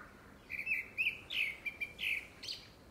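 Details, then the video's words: Grey-backed thrush courtship song, by its timing for a second breeding: a run of short whistled notes near the middle-high range, several slurred and descending, delivered in quick succession over a quiet background. "되지빠귀 울음소리"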